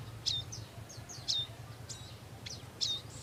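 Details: Wild bar-winged prinia, parents caring for their young, giving sharp high chips and short downslurred notes in small clusters about once a second, over a steady low hum.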